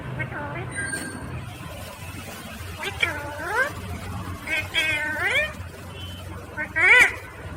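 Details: Green ringneck parrot talking, natural recording: several short speech-like phrases of stacked, wavering, rising and falling tones in three bursts, the last one shrill, over a low background hum.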